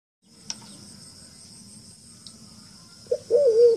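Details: Wild forest pigeon call used as a trapping lure: a long stretch of low, soft, rhythmic cooing, then a short sharp note and a louder wavering hooted call near the end.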